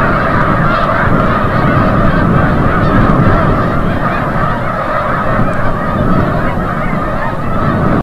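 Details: Wild Snow Geese streaming back from the bay at sunset, Forsythe National Wildlife Refuge, Oceanville, New Jersey; a ceaseless, irregular barrage of honks, about three per second, swelling slightly in the middle.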